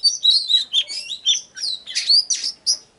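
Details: Oriental magpie-robin song for prompting birds to sing: continuous quick sequence of bright whistled slurs and buzzy chirps, rising and falling, with brief gaps.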